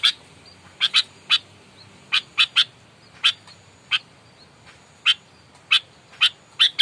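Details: Aggressive, fighting Sooty-headed bulbul, a lure sound meant to provoke rivals: short sharp chack notes, single or paired, spaced irregularly over a faint hiss.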